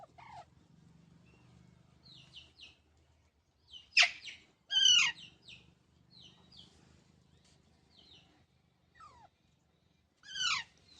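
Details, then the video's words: Pet green parrot in India calling in short harsh squawks and chirps, several loud bursts scattered across the clip with quiet pauses, low background hum. "Funny Parrot Sounds"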